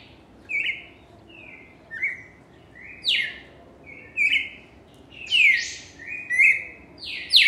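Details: Cardinal singing energetically: a fast run of about a dozen buzzy, slurred whistles, some sliding down steeply, roughly one per second and growing louder toward the end.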